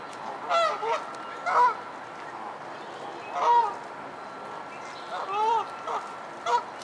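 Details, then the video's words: Geese fighting among themselves give spaced harsh honks, single or paired bursts roughly every second or two, each short and wavering, over a low steady background hiss. "Geese Fighting"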